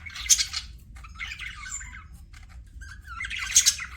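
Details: Pet budgerigars giving short harsh squawks and a brief warbling phrase, with near-silent gaps between calls over a low background hum.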